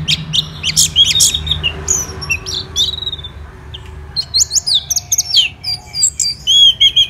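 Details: Energetic Orange-headed thrush song, dense bursts of high chirps and whistled slurs. Phrases are broken by short pauses, then resume in rapid rhythmic runs toward the end.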